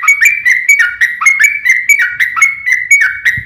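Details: Yellow-vented bulbul delivering a long repeated rolling phrase in fighting mode, intended to trigger rival birds to sing back: a steady string of about a dozen clear slurred whistled notes, evenly spaced and nearly unchanged in pitch.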